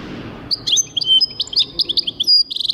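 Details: Song of a European goldfinch, recorded in 2023: fast, jangling twitters and sharp high chirps run together without pause, closing in a rapid buzzy trill.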